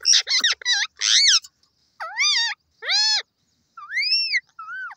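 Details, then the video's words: Parrot giving loud harmonic calls in separate bursts: an opening run of quick warbled notes, then drawn-out arched squawks about once a second, some rising and falling, on a quiet background. "parrot bird ki best languages and sweet sound"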